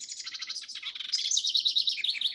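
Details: A House Wren, newly arrived in Florida in early November outside its breeding range, sings a rapid, bubbling cascade of chattering trills, tumbling high and fast for over two seconds, then rising into brighter, scratchy warbles. Usually a noisy caller, it sings only occasionally at this season.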